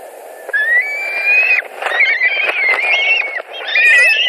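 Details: White-tailed eagles, Latvia nest, 2 August 2020, screaming during a fish delivery and fights; slightly rising, whistled, strained wails running almost continuously, broken by soft knocks and shuffling.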